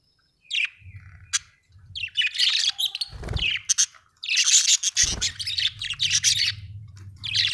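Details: Pet budgerigar chirping happily: rapid bursts of harsh, buzzy chatter and short scratchy notes with brief whistled tones, in clusters separated by short pauses, with low background hum and a couple of thumps.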